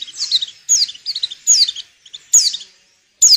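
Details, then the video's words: Breeding-condition female white-eye, used to draw males into singing: quick bursts of high tumbling chirps and slurred notes, ending in a sharp loud chip. "Suara burung pleci betina_pacingan birahi _jantan agar mau bunyi bagus buat pikat."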